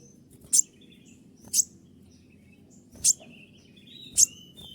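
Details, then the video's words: Brown-throated sunbird (kolibri ninja) in 'tembakan' song. Four explosive, very high, sharp notes come about one second apart, with thin drawn-out whistles between them over a low steady hum. "masteran kolibri ninja dengan full suara tembakan"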